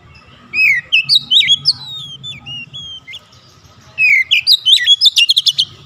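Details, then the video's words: Oriental magpie-robin singing as a lure for a silent bird: looping whistled phrases rise and fall, pause briefly, then return faster and end in a rapid burst of harsh chips, over a faint low hum. "PANCINGAN HEBAT DALAM HITUNGAN DETIK KACER MACET BUNYI LANGSUNG GACOR"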